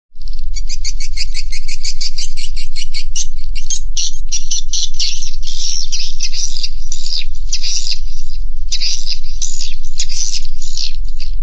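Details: Swiftlets inside a swiftlet house give a dense, continuous chorus of rapid high chirps and buzzy twitters, pulsing about three times a second and overlapping throughout, above a steady low rumble.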